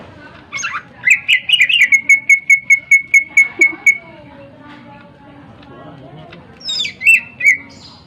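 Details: Greater green leafbird with a sharp, lively voice, used to rouse other birds to sing; a slurred intro, then about fourteen identical short whistles at a steady beat, silence, then three more whistles.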